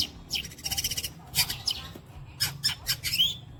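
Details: Long-tailed shrike imitating sparrow, walang kecek insect, kuntilanak and petir phrases; harsh buzzy rattles and squawky notes, then high sharp chips ending in a brief whistle.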